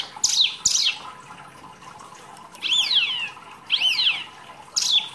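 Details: Wambi, a small songbird kept in captivity and singing as masteran material: sharp, high downslurred calls in pairs, with a few longer arching whistled notes separated by short pauses.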